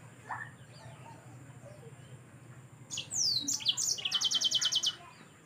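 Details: Yellow-fronted canary in full energetic song, meant as a tutor recording for training birds: a faint chirp and low hum, then a strong burst of sweeping downward notes that runs into a rapid, steady trill of high chips.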